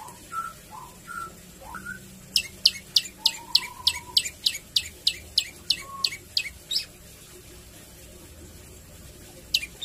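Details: Javan tailorbird in energetic song with varied phrases and 'shots': a few soft lower whistles, then a rapid burst of about fourteen sharp, very high, downslurred notes, roughly four per second, ending in a single late note.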